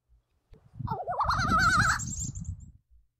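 An American Crow gives an odd, gurgling, wavering warble, quavering up and down for about a second, over a low rumbling background.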